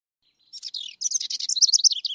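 A House Wren sings a fast, bubbly chatter of high notes, starting with short buzzy bursts and then running into a rapid tumbling trill.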